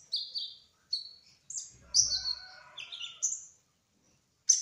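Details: Kolibri ninja, trotol variety, singing in a rolling ngerol style: high whistled notes and sharp chirps in loose phrases, with a short low rustle partway through.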